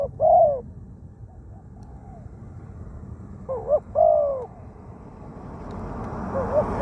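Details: Decoy spotted dove, wild-caught with a small voice, kept for luring on the ground in Thailand; two low two-part coos separated by a pause, with rising background noise at the end.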